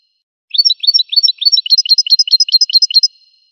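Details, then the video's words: Goldfinch singing a rapid, jingling phrase of repeated chirps that climb slightly and grow brighter over about two and a half seconds, with no background sounds. "Magic of the melody of the goldfinch's song"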